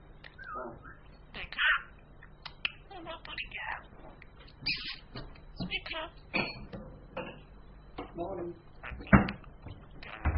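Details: Female pet budgerigar (Polly), a talker that also mimics an ambulance siren and door creaks, chatters in quick, scratchy bursts imitating human words, apparently "morning".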